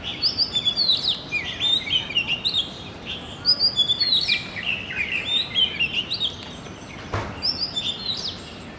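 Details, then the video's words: Song of an Oriental magpie-robin, a continuous run of bright whistles, trills and downslurred notes in rapid succession, with a brief click near the end and steady background hiss. "鵲鴝 Oriental Magpie Robin"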